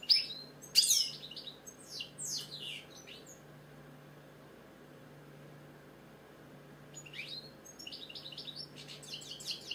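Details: British goldfinch, caged, giving short bursts of twittering and upswept notes, with a quiet gap of several seconds before more chattering song resumes; low hum in background.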